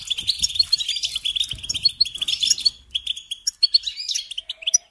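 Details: European goldfinch song used to teach young birds: a dense, buzzy, jingling warble for three seconds, then sparser clipped chirps and twittered notes separated by short silences.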